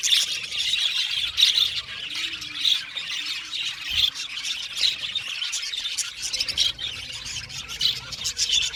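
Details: Budgies in an aviary colony chirping and squawking, with high, harsh notes bursting out over a steady flock warble, louder peaks roughly every second.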